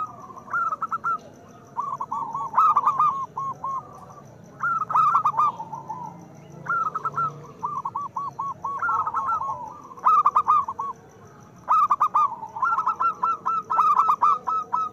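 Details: Loud local zebra dove singing, a recording meant to prompt lazy doves into song: repeated phrases of quick, bubbling coos that rise and fall, several phrases over fifteen seconds with short silent gaps.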